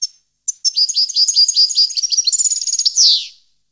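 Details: High, sprightly goldfinch song from 2015, a continuous tinkling run of quick chirps that speeds into a rattling trill and closes with a buzzy downward slur, no other sounds.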